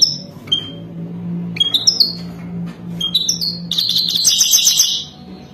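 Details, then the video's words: Wild European goldfinch giving its mating song: scattered high, slurred whistles and chips build into a long, rapid, buzzy, rattling twitter near the end. "تغريد حسون وداني"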